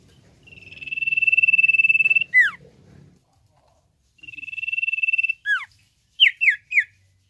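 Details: Common iora repeating its long high trilled whistle twice, each ending in a sharply dropping note, then three separate downward-slurred whistles in quick succession.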